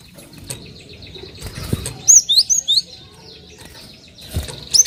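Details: Cinereous tit (gelatik batu) calling as a lure to get other birds singing: a short burst of three or four thin high whistles midway, more bright notes at the end, soft rustles and low thuds between.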